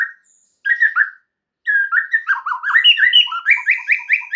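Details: White-rumped shama song used as a prompt to get other birds singing: varied whistled phrases near 1-2k, then a fast run of rising slurred notes repeated about four times a second.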